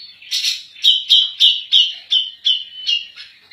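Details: Grey-cheeked bulbul (cucak jenggot) in full, forceful song used for tutoring other birds: about eight loud, clipped, burry whistles repeated roughly three per second at an even high pitch, with no other sounds.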